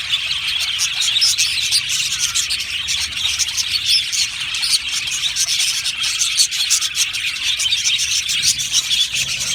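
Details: Aviary colony of Australian budgies, a crowd of birds warbling and chirping without break; busy high twittering layered thickly, with occasional sharper clicks standing out.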